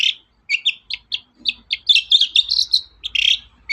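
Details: Long-tailed shrike in lively song used as a lure to set other birds singing: rapid, varied chattering notes and short squeaky whistles tumbling together, growing denser and louder midway through.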